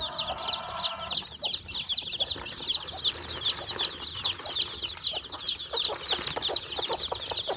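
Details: Farm chicks just hatched from eggs under a hen, peeping nonstop: shrill, short descending notes from many birds overlapping in a dense chorus, with a faint tonal hum at the start.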